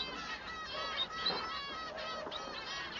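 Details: Singing male Society Finch gives steady, nasal, buzzy notes with rich overtones, strung together almost without pause while other birds chatter softly behind.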